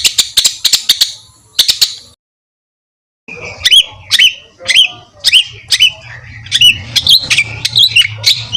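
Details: Songbird used as master for training competition birds: harsh high note bursts, a silent gap, then a series of clear whistled downslurred notes with a faint low hum.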